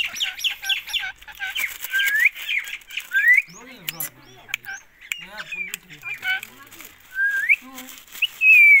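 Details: Rose-ringed parakeet from Pakistan uttering rapid trains of harsh squawks, then upward-sweeping screeches interspersed with lower chattering notes and clicks, ending in a loud burst.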